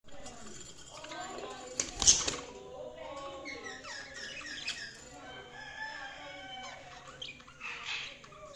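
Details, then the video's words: Budgerigars chirping: a soft, continuous warbling chatter of short, varied notes and slurred tones, with a brief noisy burst like wing flaps near the start and another fainter burst near the end. "Budgies Sounds| Budgies Chirping sound"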